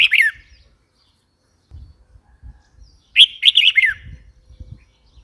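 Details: Red-whiskered bulbul calling: two bright, warbled phrases of quick rising and falling notes, about three seconds apart, with faint low rumbling between them.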